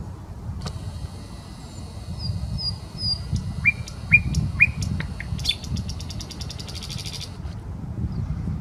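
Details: Nightingale song from the Smolenka park in Saint Petersburg: drawn-out high whistles, a few separate rising notes, then a rapid buzzy rattle of repeated pulses before fading, over steady low-frequency noise.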